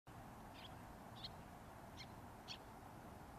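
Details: Little tern parent and young at Senju Sakuragi nature area by the Arakawa, Adachi, Tokyo; four short, high, thin begging notes about two-thirds of a second apart, with the juvenile waiting for small fish, over wind and surf.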